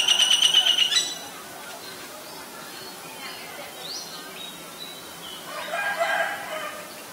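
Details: Common Myna in Ubon Ratchathani, Thailand, on May 3, 2022, recorded with a Nikon P1000: a loud rapid string of sharp repeated notes lasting about a second, followed by fainter scattered chirps and a rough chatter over steady background noise.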